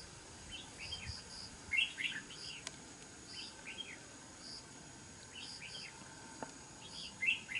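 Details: Red-whiskered bulbul, engaged in fighting a trapped decoy bird, gives quick bright chirpy warbled phrases, several in succession, some louder and some fainter, over constant hiss and a few clicks.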